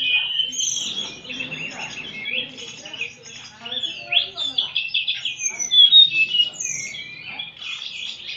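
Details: Shama, called murai, singing against a telede'an gunung. Fast varied warbling with high piercing whistles and quick chip runs fills the air, with faint conversation behind.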